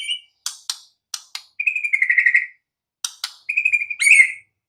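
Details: White-rumped shama singing in the wild: sharp broadband clicks and ticks alternate with a clear, warbled whistled phrase near the middle and a rich, rising flourish at the end, with silent gaps between.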